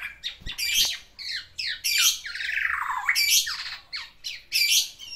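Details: Black-naped oriole kept as a pet, courting a female with its isian song: harsh squawky slurs and downward-sweeping notes, broken by brief gaps.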